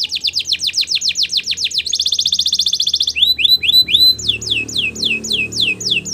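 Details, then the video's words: Belgian canary in song: rows of sharp descending whistles repeated rapidly, a dense buzzy rolling trill, then looping rising-and-falling whistled phrases. "Belgian Canary Song That Fascinates Everyone!!"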